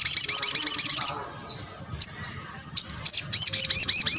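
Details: Sunbird used to provoke other birds to answer: a fast, buzzy trill of high notes, a pause with a few slurred whistles, then the rapid trill resumes.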